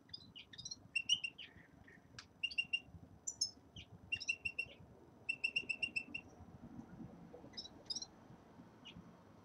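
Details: Common redpolls settling into a new cage give busy high twittering, with several rapid chattering runs of five or six notes mixed with higher squeaky notes, over faint room noise.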